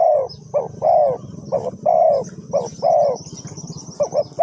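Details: Spotted dove used as a decoy for bird trapping, Ninh Thuận, Vietnam: mellow hoarse coos in short two- and three-note phrases, about one phrase per second, with a low rural rumble and faint high insect-like hiss.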